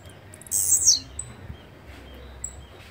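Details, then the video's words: Blue-black grassquit giving a single brief, very high, buzzy phrase that drops in pitch at its end, followed by faint thin whistles in the background. "Canto de Chirrio (Volatinia jacarina)"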